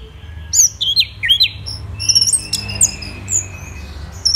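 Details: Orange-headed thrush recorded in the morning at Kubutambahan, Singaraja, Bali, giving a sparse run of clear downslurred whistles followed by thin high notes and a few scattered chips, with quiet gaps and faint low hum.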